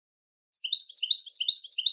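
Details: European goldfinch singing in a training recording: after a half-second pause, a continuous run of high liquid twittering notes alternating between two pitch levels.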